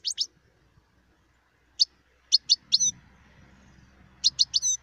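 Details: Song of a wild European goldfinch, sharp high chirps given in short clusters of two to four notes separated by pauses, with a low rumbling noise underneath.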